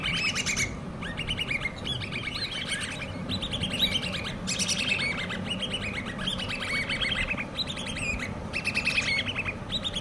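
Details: Common babbler chicks, hand-reared, calling almost nonstop with scratchy, chattering bursts of high squeaks that run together in quick succession, with a constant low hum underneath.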